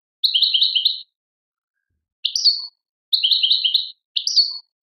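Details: European goldfinch, Algerian Tadmait song style, gives short rolling trill phrases of quick repeated chirps that alternate with brief sharp rising notes, repeated twice in under five seconds.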